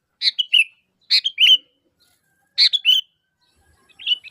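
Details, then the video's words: A lively sooty-headed bulbul gives its attracting call to draw replies from others of its kind. Three short, liquid, chattering phrases come in irregular succession, with a fourth phrase starting at the end. No other sounds are present. "Suara Asli Kutilang Gacor Memanggil, Kutilang Pasti Nyaut"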